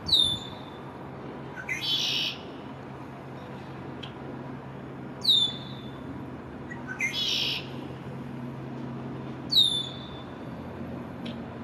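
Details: Immature male Red-winged Blackbird in his first spring, singing to defend territory in a downtown backyard on May 1, 2024, turning in every direction; sharp high descending notes followed by a buzzy burst, repeated about every 2.5 seconds, over low hum.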